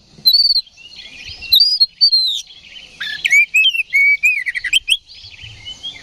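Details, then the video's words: Oriental magpie-robin fight-provoking song: rich continuous warbling of clear whistles, some rising and some falling, with chattering phrases packed closely together. "KACER GACOR NGEPLONG TARUNG !! PANCINGAN KACER PALING AMPUH BUAT MENAIKAN EMOSI KACER AUTO RESPON"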